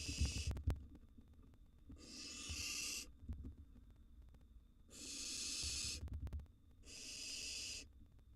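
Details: Three drawn-out hissing screeches from wild barn owl chicks in a nest box while prey is delivered and eaten. Quieter background, with sharp knocks and soft rustling from the nest floor near the start.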